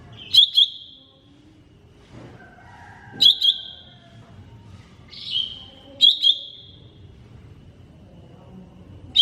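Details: Cucak ijo mini (green leafbird) masteran song: crisp double click-like notes, each trailing into a drawn-out whistle, repeated roughly every three seconds, with faint softer whistles between.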